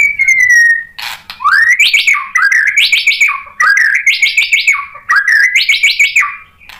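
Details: White-rumped shama song used to goad a rival into singing: a falling whistle, then four loud repeated phrases, each a rapid upward sweep of stuttering notes ending in a steady whistled level tone.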